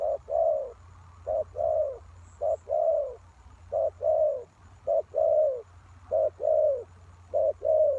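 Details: Spotted dove calling as a lure for wild doves: steady repeated two-part coos, a short note then a longer falling one, about every 1.2 seconds, with a low hum beneath.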